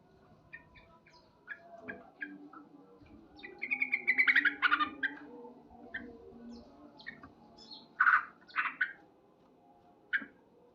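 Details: Male sooty-headed bulbul singing loudly in the morning: scattered short chattering notes, then a bright rising whistled phrase and a few harsh bursts near the end, with quiet gaps between.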